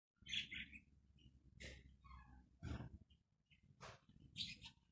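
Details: A Zebra finch, possibly of the black-breasted form, gives short nasal, buzzy calls in irregular bursts with a few softer chirps between, over a low background rumble.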